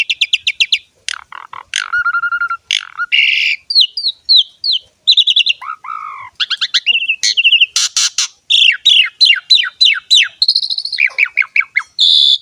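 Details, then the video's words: Lively Asian pied starling song, used as a tutor and lure for other starlings: a rapid, varied stream of whistles, chirps, downslurred notes and buzzy bursts with almost no pauses. "JALAK SUREN GACOR ‼️ MASTERAN DAN PANCINGAN BURUNG JALAK"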